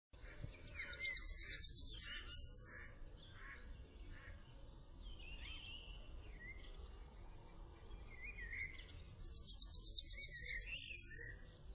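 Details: Two Yellowhammer (Emberiza citrinella) songs about eight seconds apart. Each is a fast, regular string of roughly fifteen high chipping notes that closes with a long, steady, high final note. The background is quiet, with faint rural ambience.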